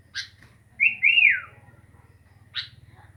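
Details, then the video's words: A single sooty-headed bulbul gives two clipped chirps around one long whistled phrase that rises and then slides down, over a steady low hum. "Burung kutilang asyik...??"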